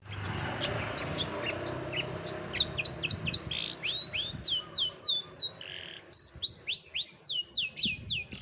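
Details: Long-tailed shrike, known locally as cendet, singing a compilation of other birds' voices used as contest-training material: a rapid series of sharp, high, downward-slurred whistles and chirps with one loud burst near the start.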